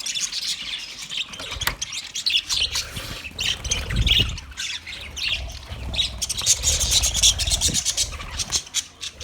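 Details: Budgies chattering together, recorded 29 February 2024: dense high squawks and chirps in steady overlapping bursts, with low thumps and rustling in the background.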